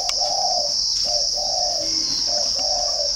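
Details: {'caption': 'Spotted dove from a dove garden near Ba Vì, Hanoi, northern Vietnam, cooing in short-long note pairs three times, with a steady high insect whine in the background.'}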